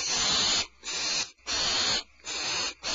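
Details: Barn owls, Starr Ranch, February 22, 2012, with the mother returning to the nest carrying a rat. Four loud, steam-like hissing screeches follow each other closely, with only brief breaks between them.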